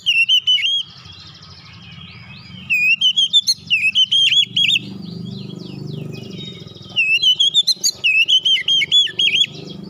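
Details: Oriental magpie-robin giving a basic training song in the tight rolling style called ngeroll rapat: bursts of rapid, high whistled notes with sliding, warbling phrases, separated by quieter pauses, over a low steady hum.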